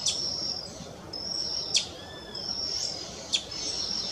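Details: On 3 June 2024 at Parque Municipal da Restinga do Guaraú, São Paulo, Brazil, a Brazilian tanager gives sharp, clipped metallic call notes about every one and a half seconds, over thin, high, steady buzzing trills.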